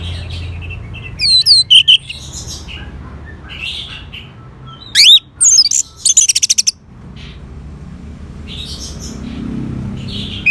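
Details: Orange-headed thrush (Geokichla citrina) singing bright, high whistled phrases with sharp rising and falling notes, bursts around two and five seconds, then a rapid rattling trill, used as a therapy song to get captive birds singing.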